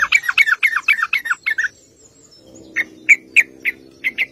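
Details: Lure song of a sooty-headed bulbul meant to make other bulbuls respond: a quick rolling sequence of bouncy, descending chirps, then a pause and several single sharp notes spaced about a third of a second apart.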